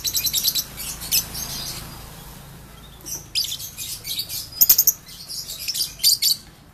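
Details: Lovebird ombyokan, an ordinary kept bird of unknown lineage, giving its long ngekek trill: quick runs of shrill, high, scratchy chirps in bursts, pausing near two seconds, then resuming in rapid stuttering clusters.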